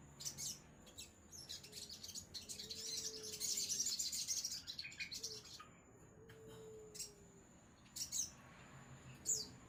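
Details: Sogon songbird in lively song, giving rapid high chirps and twittering phrases that build to a dense scratchy stretch before breaking into sparse sharp notes, with a faint low whistle-like tone and background hum.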